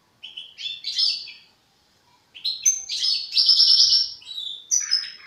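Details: European goldfinch youngster rehearsing developing song: a short twittering phrase, a brief pause, then a long, energetic stream of high tinkling trills and buzzy twitters running almost three seconds.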